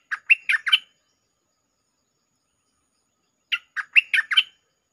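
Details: Bulbul singing a lure song in the Jao Bank style with doubled notes: two brief phrases of four or five bubbly, slurred whistles, roughly three seconds apart, in otherwise silent surroundings.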